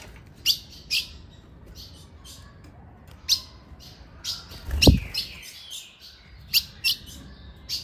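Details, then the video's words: Female ultramarine grosbeak calling around ten past five in the afternoon to excite a male: scattered high, crisp chips throughout, with one dull low thud midway. "Essa Fêmia vai deixar seu azulão louco com esse piado e chamo"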